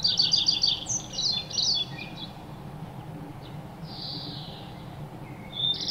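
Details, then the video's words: Birds bathing and chewing food, chirping playfully: a fast run of sharp, high chirps opens, then scattered notes and a brief hissing burst, ending with another chirp, over faint low rumble. "Sounds of playful birds chirping, bathing and chewing food"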